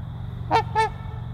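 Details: Two quick nasal honks in close succession from a breeding pair of trumpeter swans, each short and horn-like with rich harmonics, the second slightly longer, above a low rumbling background.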